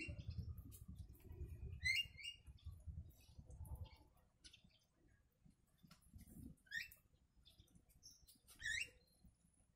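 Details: Yellow-vented bulbul song filled with imitated sooty-headed bulbul (kutilang) phrases, a recording meant for training other songbirds; three short, bright, bubbly phrases that rise and fall, spaced a few seconds apart over steady low rumbling background noise.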